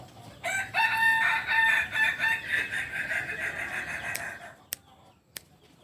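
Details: Purebred biriang kuniang Kukuak Balenggek cock from Solok, West Sumatra, crowing in one long, rich run of about four seconds made of many quick, stepped pulses that slowly fade, with a few sharp clicks afterward.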